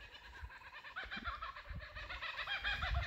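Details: Laughing kookaburras calling in Southwest Australia give a rapid run of harsh, cackling notes that build into a rolling laugh, with low rumbling background noise.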